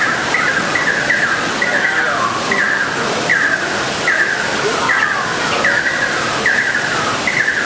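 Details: A pair of Fire-tufted barbets singing jointly: steady series of short descending notes, some with longer sliding tails, repeated at a regular pace over a constant noisy background.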